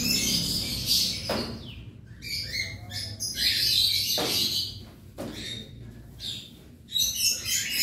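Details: Colony of about 100 cockatiels in an aviary during daily cage cleaning; harsh, screechy bursts overlap in a busy chorus, rising and falling in waves with short quieter gaps, faint low hum underneath.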